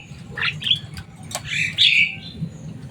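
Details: Short bout from a caged Javan myna, a bird said to be loud and able to talk: a few harsh, buzzy squawks and a rasping call, low hum underneath.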